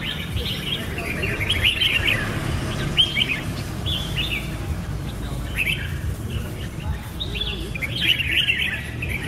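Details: Red-whiskered bulbul calling: loud, lilting three- or four-note whistled phrases repeated with short gaps, over soft low background noise.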